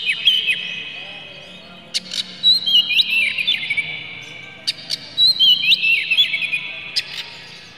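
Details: Oriental magpie-robin lure song said to carry harsh material and make other magpie-robins sing: sparse phrases of whistled warbles and sharp clicks, repeated about every three seconds.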